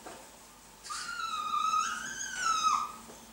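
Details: A blue-and-yellow macaw gives a drawn-out, tonal, whining call of about two seconds, wavering slightly in pitch, in a quiet room, during mating of blue-and-yellow macaws.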